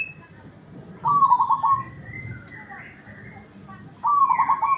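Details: Local zebra dove, prized for a big, round, cool-toned voice and usable as a tutor recording, gives two low bubbling trilled coo phrases about three seconds apart over faint background chirps and murmuring.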